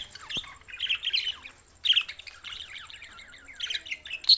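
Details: Budgerigars, June 7, 2024, Larkana, Sindh: warbling chatter of squeaky, slurred chirps in quick phrases, pausing briefly and resuming, ending in a sharp squeak, over a quiet low hum.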